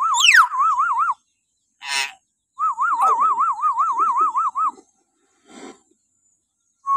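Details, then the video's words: Shrill morning calls of a common hill myna, played to stimulate captive birds: a falling screech, rapid trilling whistles, a harsh burst, then a longer bout of fast wavering whistling and a final rasp. "suara burung beo melengking"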